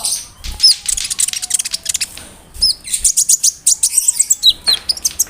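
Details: A konin bird delivers a full mimicry song with cricket, brem, kamade and rambatan imitations, used as tutor song for murai, canaries, cucak ijo and lovebirds; dense sharp high chirps, bent whistles and fast ticking runs.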